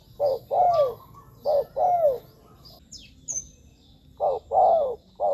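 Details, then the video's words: Spotted dove calling, used to attract wild doves: repeated two-part coos, a short note then a longer falling one, heard twice. A brief pause carries a faint high chirp, then the phrase returns. "เสียงนกเขาใหญ่ หมานๆ 100%"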